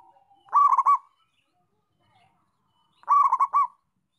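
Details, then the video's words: Local zebra dove in full song: two loud bubbling cooing phrases of four or five quick rolled notes, each phrase under a second long and about two and a half seconds apart, with soft low trills leading in. The background is otherwise quiet. "Perkutut Lokal Gacor"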